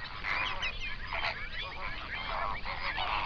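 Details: Large flamingo flock on a lake in an Overberg national park, South Africa, near sunrise, binaural recording: crowded honking chorus, short nasal notes overlapping without pause, a few louder honks standing out.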